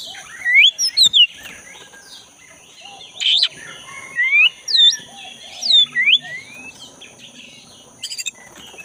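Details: Wild black-breasted Oriental magpie-robin in forest, singing vigorously: clear separate whistled phrases, some rising and some dipping, come in bursts about every second, with gaps between groups and a constant high-pitched background hum.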